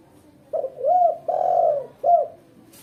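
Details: Female spotted dove giving a lure call for training. Deep, soft coos in one phrase: a brief opening note, a swelling coo, a long drawn-out hoot, then a clipped closing coo, over a quiet background.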